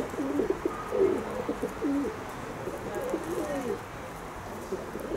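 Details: Kept pigeons give a run of deep, throaty coos, each a rolling warble with a dip and swell, strongest in the first two seconds and then trailing off more softly.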